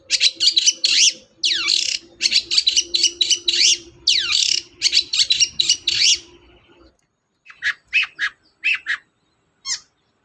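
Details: Long-tailed shrike in full chattering song, used as a lure to prompt a silent shrike to sing: rapid bursts of high, scratchy and sweeping notes packed together for six seconds, then sparser sharp chips after a pause, with a low steady hum beneath.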